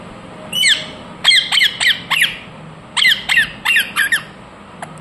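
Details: Pet ringneck parrot giving its natural calls: harsh, screechy squawks, single at first, then quick clusters of three or four, each note sliding downward, separated by short pauses.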